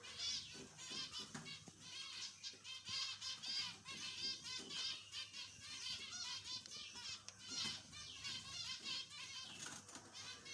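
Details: Many zebra finches kept for breeding in Jajapur, Odisha, India, calling together in a dense chorus of nasal, harmonic beeps that overlap continuously, with faint flapping and thumps in the background.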